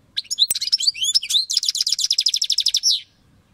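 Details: Singing European goldfinch with a click at the start, quick tinkling mixed whistles, then a long run of rapid, evenly repeated metallic notes closing with a drawn-out slur.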